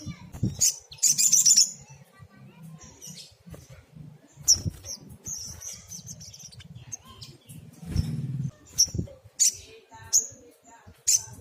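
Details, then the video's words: Actively singing sunbird in a rapid-fire 'tembakan' song used as tutor material for small cage birds: high thin chips and short sizzling bursts, spaced irregularly, with soft rustles and low background noise between phrases. "Tembakan SOGOK ONTONG GACOR"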